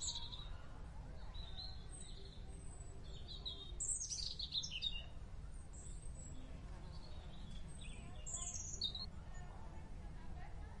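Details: Merbah bulbul in the wild calling in a run of high chirps, with a busier burst of tumbling notes near the middle and more scattered whistles later, against a low rumbling background.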